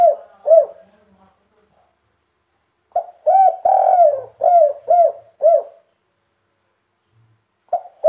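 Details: Spotted dove giving a three-note coo song: mellow, hollow coos in a short run, a pause of about two seconds, then another phrase of five or six coos, each soft and slightly rising then falling.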